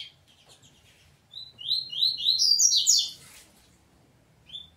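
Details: Double-collared seedeater of the peteteu song style, fighting with its family: after a quiet start, a dense run of sharp high chirps rises to bright squeaky notes, then falls silent before one last chirp.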